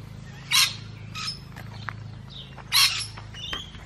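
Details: Two loud, harsh screeches about two seconds apart from feeding musk lorikeets, with faint squeaks and chatter in between over a low background hum.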